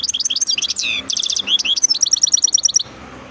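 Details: European goldfinch singing: fast, varied twittering of tinkling notes and liquid slurs, then a rapid run of repeated high chips before the song stops abruptly.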